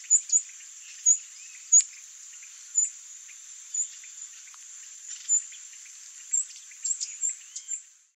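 Streamer-tailed tyrant giving sharp, very high, clipped notes at uneven intervals of about a second, over a steady high insect drone.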